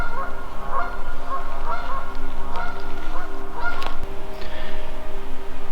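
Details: In spring, geese on a pond beside a forest brook give a run of nasal honks, several each second, over a steady low rumble and a faint musical drone.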